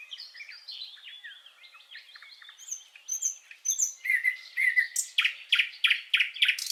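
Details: Common nightingale song for training songbirds: soft jumbled warbling builds into pure whistles, then a series of loud, evenly repeated harsh chirps about three per second.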